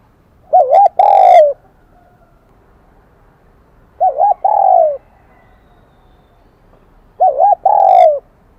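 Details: High-voiced kim đồng style song of a wild-caught spotted dove, a bell-like Vietnamese voice category. Three evenly spaced coo phrases roughly every three seconds, each a wavering opening note joined to a longer, falling hoot.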